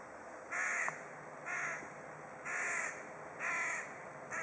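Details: Crow cawing at another crow in Kaliningrad, giving five hoarse, grating caws in a steady series roughly once per second, each about a third of a second long, over low constant hiss.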